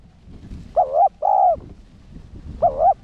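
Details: Spotted dove giving its cooing call, a decoy-style 'one-ending' coo used to stimulate caged males; a wavering double note followed by a longer steady coo, heard about twice in three seconds over faint low background rumble.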